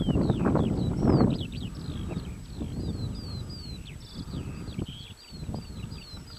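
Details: Eurasian skylark at Adderstonlee near Hawick, singing a continuous run of quick chirping, slurred notes high overhead, with strong low wind rumble and rural background noise throughout.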